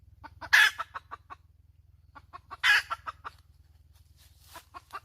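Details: Hen calling: runs of short, evenly spaced clucks building to a loud harsh squawk, twice, with a third run starting at the end; faint low hum in the background.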